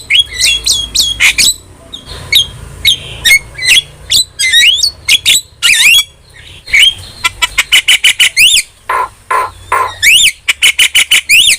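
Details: Lively starling chatter aimed at teaching and stimulating kept starlings: quick runs of sharp chips and squawks, then a rapid series of repeated rising-falling whistled notes, each loud and clipped, continuing in bursts to the end.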